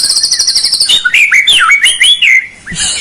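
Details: White-rumped shama song meant to stir a lazy bird to sing: a rapid high buzzy trill followed by loud fluid whistled phrases swooping up and down.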